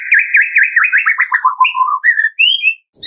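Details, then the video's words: White-rumped shama (murai batu) singing a 'tembakan' burst in the afternoon, used as a lure to provoke other shamas to sing: a rapid run of rich looping whistles that slides downward, then brighter rising whistled notes to finish. "TEMBAKAN MURAI BATU Sore Hari 100% AMPUH buat Pancingan murai batu pastol agar bunyi"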